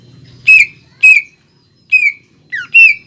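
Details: Greater green leafbird in a cage, part of a lure and training song with pelatuk bawang filler: five separate short, sharp whistled notes with downslurred tails, spaced about half a second apart.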